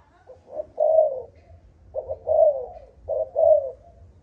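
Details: Spotted dove of Malaysian stock with an earthy 'âm thổ' tone, repeating a three-part phrase of a short note followed by a long falling coo, three times in about four seconds.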